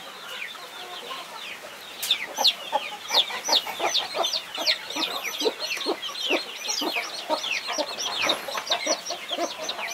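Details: Mother hen guarding her 21 chicks: a dense chorus of high, thin, downward-sliding peeps from many chicks, several each second and irregular, with softer lower clucks underneath.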